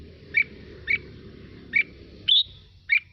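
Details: Red-whiskered bulbul song used to stimulate other birds to sing: short whistled chirps near the upper middle range, repeated about twice a second with one higher, longer note, over a steady low rumble.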